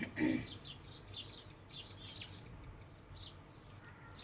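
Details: Clusters of high house sparrow chirps, with a short human voice at the start and a quieter stretch of chatter afterwards.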